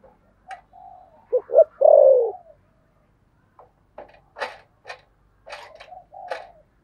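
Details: Spotted dove, thổ sấm voice, thúc gù cooing. One full deep phrase, two short notes then a long descending coo, is followed by scattered clicks and faint soft notes.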